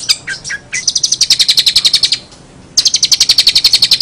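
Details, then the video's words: Brown shrike singing actively with unusual notes: a few sharp chirps, then a fast, ringing trill of rapid high notes, a short pause, and the same quick trill repeated. "cendet gacor suara aneh"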